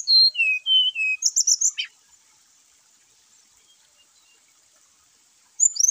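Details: Song of the brown-chested jungle flycatcher, played to excite caged birds that are slow to sing. Quick high whistles tumbling downward, a burst of rapid sharp chips, silence, then a fresh high phrase starts.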